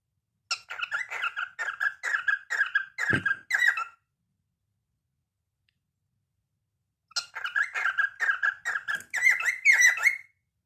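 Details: A cockatiel singing at night gives two bursts of quick, chirpy whistled notes, repeated rapidly with a brief pause between.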